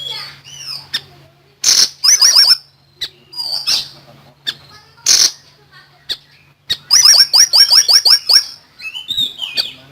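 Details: Common iora in full song: high chattering bursts of quick, sharp rising notes with short pauses between phrases, over a faint low hum.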